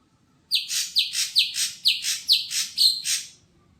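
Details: A caged, untrained greater green leafbird at a bird kiosk delivers seven rough, scratchy notes with shrill whistled starts, evenly spaced about two per second, in a quiet room.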